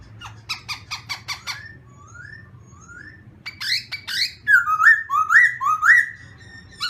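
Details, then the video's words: Black-throated laughingthrush during morning voice training: a burst of quick clipped notes, soft rising whistles, a harsh buzzy note, then a run of bright rolling whistled phrases. "Khướu mun hót luyện giọng . Khướu hót sáng luyện giọng kích bổi"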